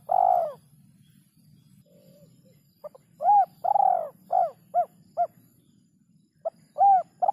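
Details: Spotted dove singing the kuk 3 coo, clean recording: a long hollow coo ends one phrase, a soft note follows, then a full phrase of short clipped notes, a long rolled coo and three brief falling coos, repeating.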